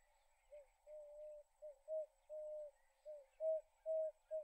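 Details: An Emerald-spotted wood dove gives soft, low, hollow coos, about nine notes in under five seconds, some drawn out and some clipped, over a faint steady hiss.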